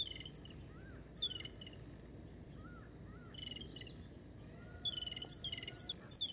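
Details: Jungle babblers in the morning give harsh, squeaky chattering notes in scattered bursts, busier toward the end, with faint whistles from other birds and a low background hum.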